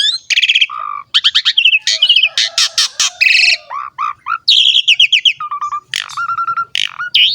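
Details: Asian pied starling singing steadily, a lure and tutor recording for starlings; rich, varied stream of rattling trills, harsh bursts and mellow low whistles, delivered quickly and continuously.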